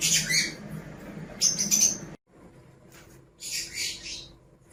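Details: Two pet lovebirds giving loud, grating screeches in quick bursts, then a sudden break before a further rasping chatter.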